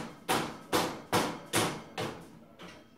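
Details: Six loud knocks or taps about every half second over low background; no animal voices.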